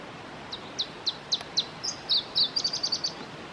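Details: Singing male Iberian chiffchaff (Phylloscopus ibericus) recorded at Testelt, Belgium, on 7 May 2017: five evenly spaced high chip notes, then a faster run of sharp notes ending in a rapid high trill, over faint background hiss.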